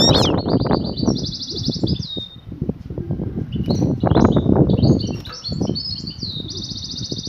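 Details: Batbata mating call of a female European goldfinch summoning the male: high chirps and rapid buzzy trills at the start and end, partly masked by heavy low rumbling and thumping noises.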